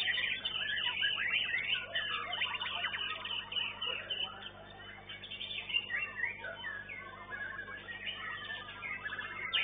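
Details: A young White-rumped shama singing in a bird-song competition, where it placed third. It pours out rich, fast, varied whistles and chattering phrases while other songbirds sing over it in a busy, continuous chorus.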